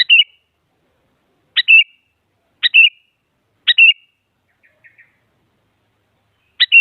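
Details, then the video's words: Sooty-headed bulbul, very active, calling to make other bulbuls sing along: five brisk calls, each a sharp note and short rolling whistle, irregularly spaced, with a few faint soft chirps in one long gap. "Suara Burung Kutilang Paling Aktif Memaksa Lawan Agar Bunyi Jadikan Kutilang Ikut Gacor"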